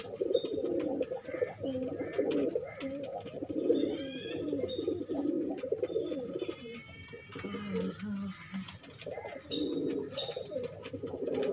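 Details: A flock of pigeons at the start of the first pigeon race of 2021 keeps up steady, overlapping rolling coos, with clicks, brief high chirps and a few lower coos near the end.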